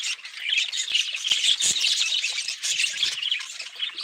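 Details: Budgerigars chattering busily, a thick mix of sharp chirps, squawks and warbled phrases, with occasional soft clicks beneath.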